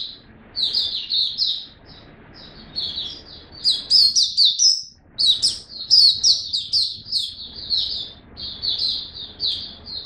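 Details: Caged white-eye singing: a fast, high-pitched twittering stream of thin sweet chirps and trills in bursts, with a short pause midway before the chatter resumes.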